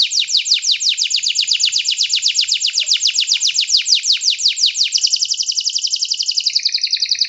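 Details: Singing canary producing a long series of rapid, regularly repeated high chirps that blend into a dense, buzzy rolling trill in the second half.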